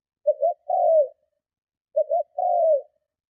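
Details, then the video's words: Spotted dove's strong lure coo to provoke other doves. Two deep phrases a little over a second apart. Each opens with a short wavering double note and closes with a drawn, slowly falling coo. "Tiếng Chim Cu Gáy Gù Kích Bổi Cực Mạnh"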